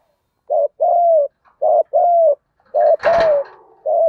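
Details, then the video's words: Spotted dove giving a field-style fighting coo, used as a lure for wild doves: low two-part coos, a short note then a longer falling one, repeated about once a second, with a brief rough noise burst midway. "Chim cu gáy giọng đồng gù đấu liên tục dúp bổi ức chế rất cao"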